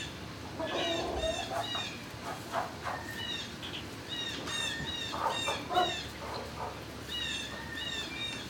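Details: Many turkeys calling inside a barn at midday on 26 March 2019. Rapid, overlapping high chirps and short squeaky notes come in bursts, with a few lower yelps and constant low machinery hum beneath.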